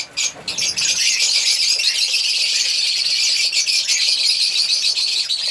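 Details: African lovebirds chirping, a few sharp squeaks then an unbroken, high, shrill twittering chatter from several birds.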